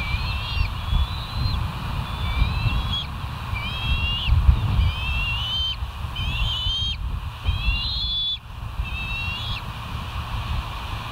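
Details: Bald eagles at the West End nest, recorded by a live nest camera on 17 September 2023 around 06:50: bursts of high, thin whistled chirps, each a quick stuttering cluster, repeated roughly every second over a steady low rumble of wind.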